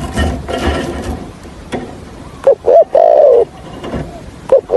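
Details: Spotted dove decoy with the Hạp bổi voice, used for trapping. Loud rustling comes first, then one coo phrase of two short notes and a long low note. Another phrase starts at the end.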